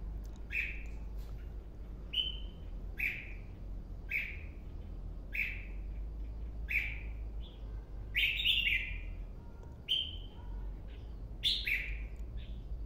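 Red-whiskered bulbul giving short, bright chirping notes about once a second, some with a quick rising flourish, over a steady low hum.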